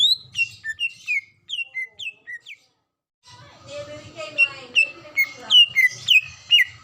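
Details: A female greater green leafbird in breeding condition calls to the male. Clear downslurred whistles come in a quick run, fall silent, then return louder and denser over softer warbling, ending in bright paired notes.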